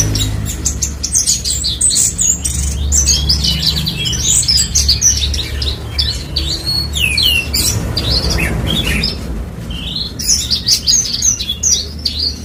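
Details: Horsfield's bush lark, parva form, from West Nusa Tenggara, Indonesia, pouring out a long unbroken run of high chirps, squeaky notes and trills against a loud low droning hum.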